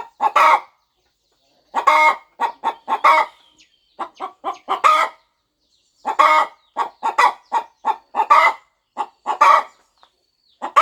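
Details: Mother hen settled on her nest on a farm, turning eggs ahead of hatching; groups of three to six short throaty clucks, each group led or ended by a louder harsh note, with short pauses between.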